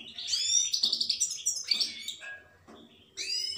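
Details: Goldfinch song of rapid liquid twitters and a short buzzy rattle, broken by a pause before another bright burst of high chirping notes.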